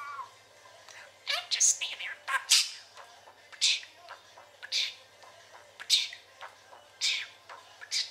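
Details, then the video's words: Chatty pet parakeet: sharp, hissy, high-pitched bursts and clicks spaced irregularly, roughly one per second, with softer squeaky notes between them. "Chatting and Trilling"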